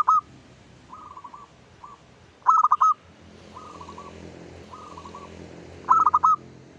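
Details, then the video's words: Zebra dove of a local strain singing actively as a lure for other doves. Quieter rolling coos alternate with three loud, clipped, stuttering phrases, spaced a few seconds apart. Faint steady background hum. "PANCINGAN SUARA PERKUTUT LOKAL GACOR PEMIKAT SEMUA JENIS PERKUTUT"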